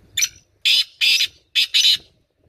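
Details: Close black francolin call: five loud, scratchy notes grouped one, two, two, the first brief and the rest longer and buzzier, with a clean quiet background.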